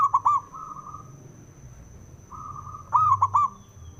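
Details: A male zebra dove gives two quick, stammering coo phrases, with quieter flat cooing from another dove in between; sung to excite other doves to sing, over a low hum and a high steady tone.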